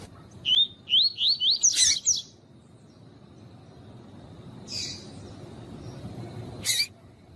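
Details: Double-collared seedeater (coleiro tuí-tuí), kept for song tournaments, with a female's call used to warm up the male: a run of five quick rising whistled notes near the start, then two sharp broadband chips later over quiet background.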